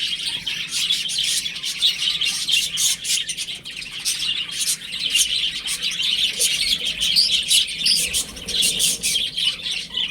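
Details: Chicks playing at home produce a long, unbroken chorus of bright, high peeps, many birds calling at once with frequent short bursts of louder cheeping.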